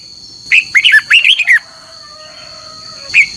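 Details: Short red-whiskered bulbul phrase from a morning competition song: about six quick, liquid whistled notes bunched together, then a quiet pause and a single closing note, with a constant faint high-pitched hum behind.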